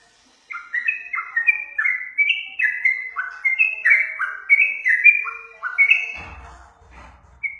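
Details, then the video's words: Yellow-vented bulbul lure song for prompting birds to sing, beginning after a brief silence with fast chattering whistled notes; a short rustling noise breaks in near the end. "Suara pancingan trucukan"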